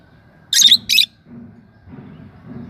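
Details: Two quick harsh lovebird chirps in close succession, high and buzzy, followed by quiet low background rumble.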